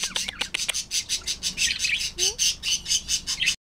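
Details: A pet female monk (Quaker) parakeet, about six years old, gives a rapid run of harsh, grating squawks, several each second.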